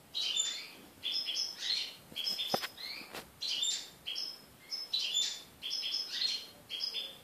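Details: Five young European goldfinches that have left the nest, fed by an adult, recorded on 3 July 2013; repeated high twittering and wheezy calls in quick bursts, with a few clicks and steady hiss behind.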